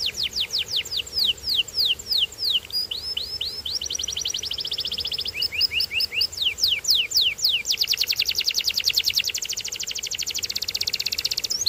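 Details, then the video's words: Canary singing: quick series of high downward-sweeping notes, then several fast buzzy trills, the phrase type changing every one to two seconds in a continuous, rolling delivery. "Incredible Sound Of This Special Canary"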